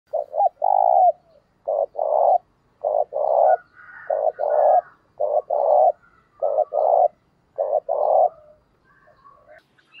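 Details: Spotted dove, a decoy bird being trained, calling vigorously with an urging voice to lure wild doves: a rapid series of low hollow coo phrases, each a couple of short notes followed by a longer purring coo, with faint higher chirps from other birds.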